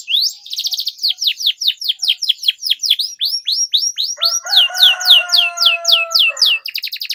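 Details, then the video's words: Long, energetic canary song meant to tutor young canaries: rapid downslurred chirps repeated without pause, with a steady lower whistled tone running underneath midway before the chirping continues alone. "PANCINGAN Kenari GACOR PANJANG Cuit CUIT Ini Ampuh Untuk MASTERAN PAUD Kenari Belajar BUNYI"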